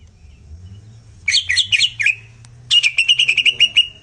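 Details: Greater green leafbird masteran song for exciting other leafbirds: a short burst of bubbly slurred whistles, a brief gap, then a quick stuttering run of clipped repeated notes on one pitch.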